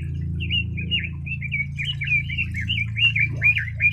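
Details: Steady, rhythmic warbling by a red-billed leiothrix, strings of curling whistled notes delivered without a break, above a prominent low droning hum.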